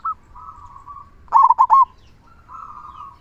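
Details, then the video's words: Local zebra dove with a big 'kung' voice, played as a lure to make other doves sing: a single short burst of quick, rolling coos set between faint, long murmured cooing. "Perkutut Lokal Gacor Suara Kung Besar Pancingan Burung Perkutut Agar Bunyi"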